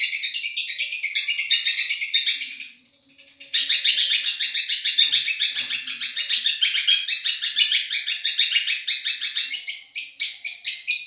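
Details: Champion-voiced Madura long-tailed shrike used as a tutoring song: long, dense, high chattering and trilling phrases, about three notes per second, with a brief softer pause before resuming louder and continuous.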